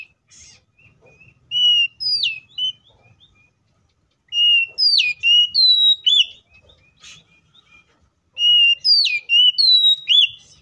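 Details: Oriental magpie-robin with a loud, persistent fighting song full of fillers, a lure for other magpie-robins. Three bursts of crisp whistles and sharp upward flicks come about every three seconds, over faint low background noise.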